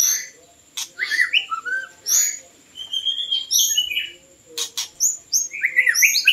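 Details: White-rumped shama singing, sound used for luring birds: varied rich whistles, rising and falling notes and sharp high chirps in quick bursts separated by brief gaps, a thin constant high tone underneath.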